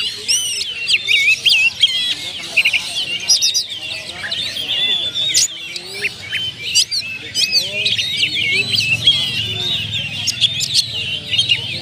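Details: Kacer, an oriental magpie-robin in care, delivering lure song packed with varied phrases: continuous chattering twitters, sweeping whistles and hard ticks, very dense and high, barely pausing.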